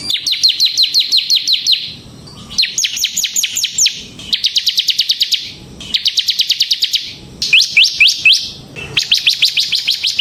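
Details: Vigorous ngebren song of a semi-type bar-winged prinia: long trains of bright, rapid chirps, each burst lasting one to two seconds, broken by short quiet gaps, some bursts faster and higher than others.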